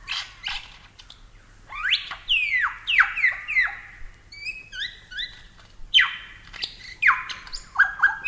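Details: Superb Lyrebird from Australia, a series of loud ringing downward-slurred whistles, some paired, with short high-pitched chirps in the middle, delivered in irregular bursts.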